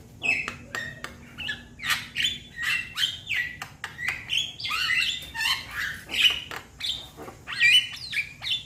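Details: Young Javan myna calling to its companions: harsh squawking notes mixed with short whistles and clicks, repeated at a steady lively pace, bursts roughly every half second.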